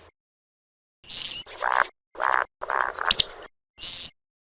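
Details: Grey francolin calling: a run of loud, harsh, nasal notes with a sharp, shrill high squeal near the end and a high clipped note at the close, against a clean, silent background.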